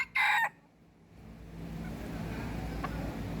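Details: Decoy red junglefowl gives a single brief, loud, harsh crow lasting about a third of a second, followed by quiet and a low rumbling background.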